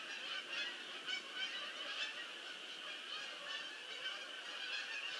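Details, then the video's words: Geese landing in a large flock: a steady wall of overlapping honking calls, rising into louder bursts roughly every half second to second. "GEESE LAND MANY GEESE"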